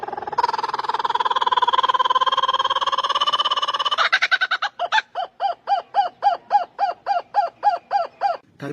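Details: A kookaburra gives a long, rolling, buzzy chatter, then breaks into loud, raucous 'ha-ha' notes about three per second, like manic laughter or a shrieking witch.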